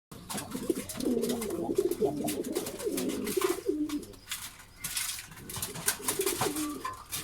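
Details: Several pigeons cooing together, deep throaty rolling coos rising and falling and overlapping almost continuously, with clicks and scuffling from the birds around them in a small enclosed space.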